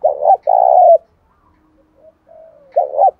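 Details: Fighting-stirred spotted dove in wet, windy seventh-month weather, giọng thổ voice; low husky coos in a short-then-long pattern, a pause with a soft thin tone, then the phrase starts again.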